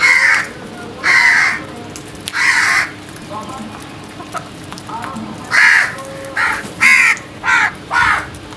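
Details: Loud harsh cawing from crows in the early morning, about eight rasping caws in under nine seconds. The later calls come in quicker succession, with a faint constant hum underneath.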